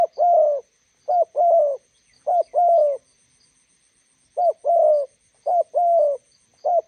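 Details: Spotted dove, a decoy bird meeting a wild bird at a roadside: low hoarse coos in pairs, a short note then a longer falling one, repeated in bursts with pauses, faint high ticking in the background.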